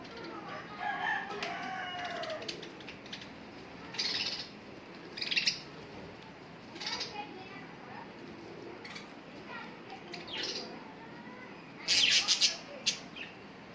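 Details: Budgerigars playing in the evening chatter in quick, warbling runs of squeaky notes, broken by sharp scratchy bursts.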